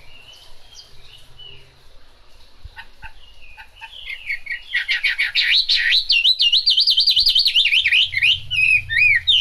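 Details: Chinese hwamei in the rain: faint scattered notes at first, then a loud, fast outpouring of warbling, wavering whistled phrases that keeps going to the end.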